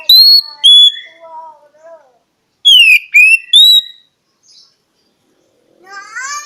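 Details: Kacer, the oriental magpie-robin, singing loud pure whistles that step downward, with softer lower warbled notes between, then a run of three bright slurred whistles and faint rising chatter at the end.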